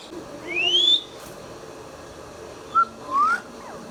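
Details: Indian ringneck parakeet, a green pet parrot indoors, giving one long rising whistle, then after a pause a short clipped note and a softer rising whistle.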